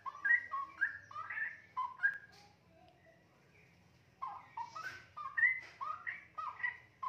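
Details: Young captive straw-headed bulbul, a single 2.5-month-old fledgling already feeding itself and beginning long chattering phrases. Rich, fluting whistles tumble up and down in quick bubbly runs, pausing briefly before another burst of liquid notes.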